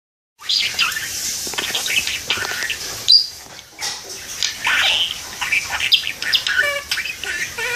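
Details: Pet parakeet perched by a window, talking and singing: a continuous busy stream of chirps, squawks and warbled speech-like chatter with scratchy bursts and short whistled notes.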